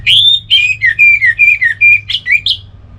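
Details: Orange-headed thrush, relaxed song: a continuous flowing string of slurred whistled notes, some falling and some rising, roughly one every quarter second, loud and clear against a faint low hum.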